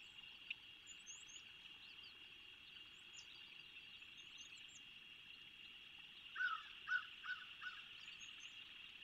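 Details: Osprey calling at Skidaway, Savannah, Georgia, 8 February 2023, early afternoon: four short, clear, downslurred whistles about a third of a second apart, over a steady high hiss and faint small-bird twittering.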